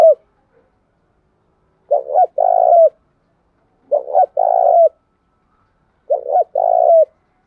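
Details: Spotted dove giving a lure coo meant to attract and challenge wild rivals; three phrases about two seconds apart, each a quick double note then a drawn-out hollow coo ending in a slight drop.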